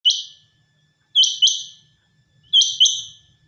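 A quail gives sharp, high, rasping notes: first one, then quick doubled pairs about every second and a half, against a quiet background.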